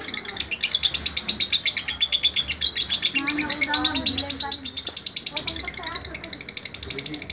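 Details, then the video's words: Lovebird singing in a vocal tutor recording: dense, high, rapidly pulsed chirping runs almost throughout, briefly broken by a lower warbling passage midway, with faint voices in the background. "Guru vocal Lovebird"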